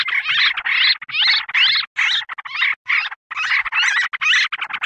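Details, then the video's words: Yellow-vented bulbul calls from a lure recording for wild birds: loud, harsh, bubbling phrases with rising and falling sweeps, roughly 136 bursts a minute, each set apart by a brief pause. "Mp3 Pikat B4ru Bikin Trucukan Liar Em0si"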